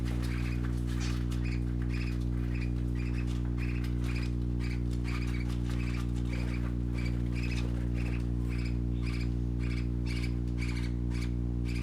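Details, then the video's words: Young parakeets at play, chirping in a steady rhythm of short, squeaky notes, roughly two to three per second without pause, with a constant low droning tone underneath. "Color ful Parakeet Babies playing - Original sounds"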